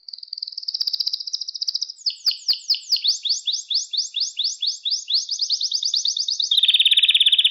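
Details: Canary song for training young pet canaries: a thin fast trill, then a long run of rolling down-sweeping notes about three a second, ending in a loud buzzy rattle.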